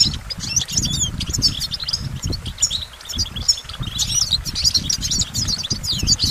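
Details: Continuous goldfinch twittering: varied, rapid high chirps, metallic notes and trills strung together without long breaks, against steady low rumbling and tapping.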